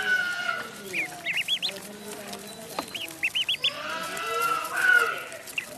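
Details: High, arching peeps from a duckling in a pond, delivered in rapid runs of three to four notes, separated by gaps, along with lower drawn-out calls in the background.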